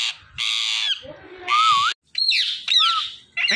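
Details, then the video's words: Indian ringneck parakeets, described as talking parrots: broad harsh squawks alternate with a clear, wavy whistled note that rises at the end, with short gaps of silence between bursts. "These Ringneck Parakeets Are The Best Talking Parrots"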